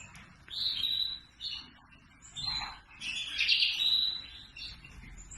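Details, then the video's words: Red factor canary singing: high whistled trills and drawn-out phrases rising and falling, with a louder bright warbled stretch in the second half, over a steady low background hiss. "Red Factor Canary - Singing"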